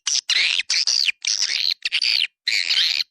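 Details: Buzzy, drawn-out swiftlet calls from a 'Dua Bidadari' swiftlet attraction sound: about six rasping phrases, some with a rising then falling whistled note inside, separated by brief silences.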